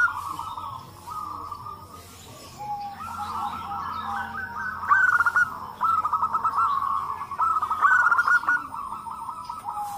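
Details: Local zebra doves calling all together, used to draw other doves into calling. Phrases include the mbekur, ndunduk and kerot styles. Steady layered cooing grows busier midway with rapid stuttering pulses.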